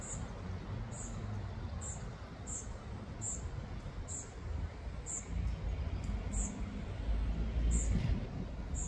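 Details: A Eurasian nuthatch (Sitta europaea) calls in the Ljubljana Botanical Garden, Slovenia, on 15 August 2024, giving thin, high, short notes about twice a second over a steady low rumble and faint insect-like hiss.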